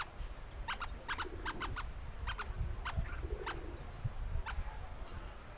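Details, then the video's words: Rainbow lorikeet lure call: a quick series of about twelve short, harsh, broadband screeches, some paired, spread across several seconds over a low background rumble and a steady high hiss. "Suara Pemikat Burung Perkici Hijau"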